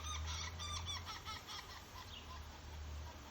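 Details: Northern Flicker at a backyard bird feeder in Calgary, Alberta, 8:54 am on 10 August 2021, gives a quick run of nasal, harmonic notes, several a second, fading after the first second over a steady low rumble.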